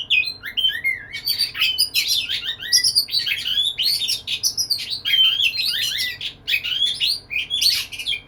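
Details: Oriental magpie-robin (kacer) singing vigorously to woo a female: a continuous, dense warble of whistled slurs, chirps and scratchy notes lasting over eight seconds without a break.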